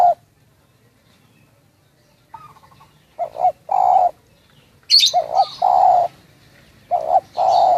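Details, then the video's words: Spotted dove from Munjung Agung, Kramat, Tegal, giving its call. A stuttered note leads into a paired coo and a long smooth coo, repeated. A brief high squeak cuts in midway over faint low background hum. "Suara panggilan tekukur lokal"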